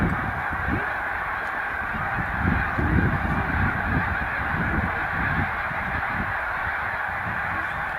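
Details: Snow Geese gathered in large flocks at a spring migration rest stop on Cayuga Lake, New York, 20 March 2021. Many birds honk at once in a steady din, with deep rumbling noise underneath.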